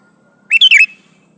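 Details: Single brisk phrase from a male sooty-headed bulbul calling a female: three or four tightly spaced, bright whistled notes with a falling end, against near silence.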